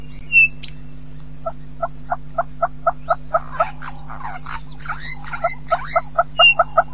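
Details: Red-billed hornbill at Djuma calling during display: a long series of short clucking notes, about three per second, speeding up and swelling into a dense burst of harsher notes, then slowing again; a high chirp at the start and near the end.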